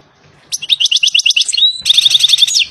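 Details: European goldfinch song outdoors: rapid tinkling notes, then a sustained metallic trill of evenly repeated pulses, loud and clear.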